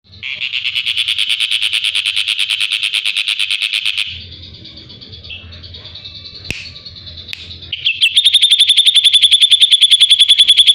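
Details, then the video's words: Drongo song used as training material for a white-rumped shama: about four seconds of a rapid, even, buzzy trill, a quieter stretch of softer mixed notes over a low hum, then another fast high trill. "Burung srigunting masteran untuk murai batu"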